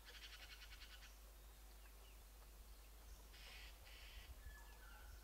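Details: Red-billed blue magpie feeding on Rhododendron nectar and petals in spring by a stream at Mussoorie, India, gives harsh, rasping chatter in rapid pulsed bursts, one long and two shorter, with faint thin whistles from other birds and a low rumble.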